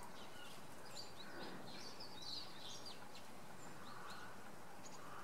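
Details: Common redpolls on a Sunday morning at Oksywie, giving a short burst of thin, high, chattering call notes around the middle, faint over steady low background noise.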